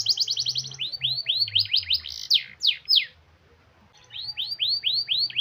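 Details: Canary in a long rolling song meant to coax reluctant singers: fast falling sweeps, slower arched notes, a few loud downward slurs, a pause, then a new run of arched sweeps.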